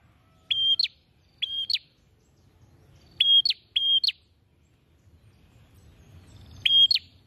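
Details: Bar-winged prinia singing with beak open wide: sharp, clipped high chirps, each a level whistle with an upward flick, given singly and in close pairs with irregular pauses, over a soft low rumble.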